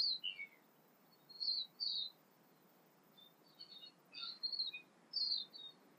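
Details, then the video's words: Tūī sings at early-morning sunrise in New Zealand in short bursts of high, bright chirps and quick downward-slurred notes, separated by brief pauses, over a quiet background. Other birdsong is also present. "Tūī birds singing"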